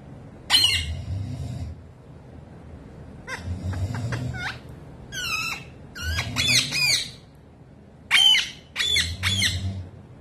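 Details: Young pet parrot courting its owner's foot, giving bursts of harsh, harmonic squawks and rapid chattering notes in four separate clusters across ten seconds, with a low rumbling hum underneath.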